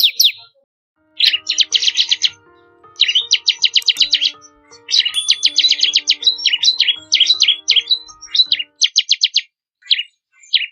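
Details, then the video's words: Bar-winged prinia song variation for training songbirds: long trilled phrases of fast buzzy and rattling high notes with short pauses, over faint steady low musical tones. "Masteran suara burung ciblek kristal 4 variasi"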